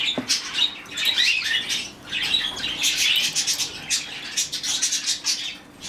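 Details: Young rescued budgerigar, hand-fed as a chick, making a continuous raspy chatter of harsh chirps. A short thump sounds near the start.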